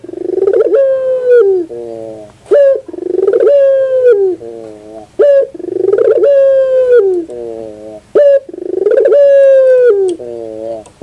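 A Barbary dove repeats a rolling, purring coo: a long, steady note that falls into a few softer, lower notes, about every two and a half seconds.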